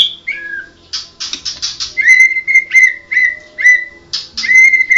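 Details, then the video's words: Medan-type white-rumped shama (blorok) gives a burst of raspy buzzes, then a string of short, steady whistled notes repeated about twice a second, with a few sliding whistles at the start. "Burung Murai medan blorok"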